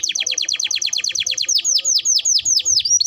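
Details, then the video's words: Canary song as a lure to get canaries singing fast: a steady rapid run of bright downslurred notes, slowing into wider, louder sweeping whistles toward the end. "Pancingan Suara Burung Kenari Gacor || Ampuh Rangsang Kenari Cepat Bunyi"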